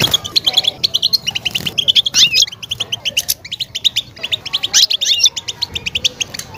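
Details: Mating song of a European goldfinch, used to rouse a female ready for breeding: fast liquid twitter of clipped high notes, buzzy rattles and quick upward-sweeping whistles in tight bursts.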